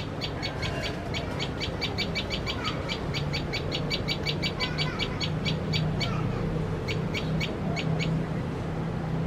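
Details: A common tailorbird feeding chicks gives sharp, high alarm notes, about four a second, pausing briefly before resuming, over a steady low mechanical hum; it is said to fear cats.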